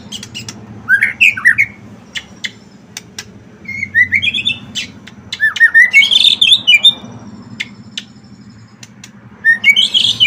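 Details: White-rumped shama singing prolifically, a recording played to provoke other shamas into singing; bursts of rich rising and falling whistles and sharp clicks between pauses, over a constant low mechanical hum.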